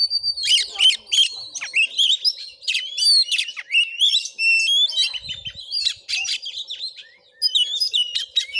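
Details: Oriental magpie-robin in combative mood during a home vocal test in Padang Gading, Bengkulu, Indonesia; dense, energetic song of rapid scratchy bursts and bright whistles, pausing briefly near the end before resuming; faint hum and a soft knock.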